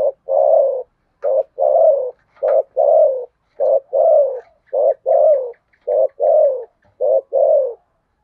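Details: Spotted dove giving a rapid run of contest coos in the Sấm Thổ style. Short and long mellow notes alternate in pairs about a second apart, with faint high ticking sounds in the background.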